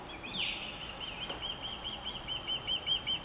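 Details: Female osprey at her nest, stressed by a third intruding osprey hanging around all afternoon, giving a rapid series of high, sharp whistled chirps, roughly two or three a second, steadily repeated over background hiss.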